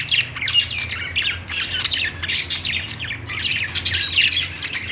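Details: Budgerigars, kept as pet birds, singing on a perch. Their song is a dense, continuous warble of scratchy chirps and squawky notes in busy bursts, with brief dips around the middle and near the end.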